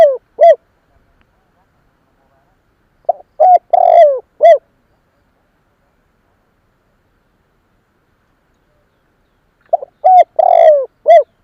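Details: Spotted dove coos meant to attract other doves. Three phrases are spaced widely apart, each with a soft opening note, a clear coo, a long trilled downward-sliding purr and a clipped end note.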